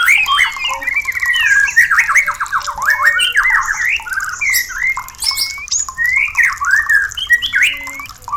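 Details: Song of a white-rumped shama, meant to spark breeding readiness and mating, heard as loud, rich, slurred whistles and warbled phrases tumbling one after another, with several clear upslurred whistles near the end.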